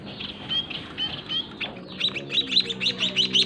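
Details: White-headed munia chicks fed by their parents in a small cage: a few faint notes and wing flutters first, then a quick burst of loud, high begging chirps after two seconds.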